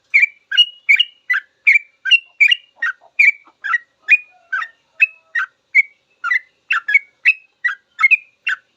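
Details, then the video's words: Long rambling full song of a sooty-headed bulbul, a master recording for training caged birds to learn the call: steady string of bright, chirpy two-part notes repeated about two or three per second without pause; clean background. "Suara trucukan full ropel panjang cocok buat masteran trucuk belajar bunyi langsung ikut ropel"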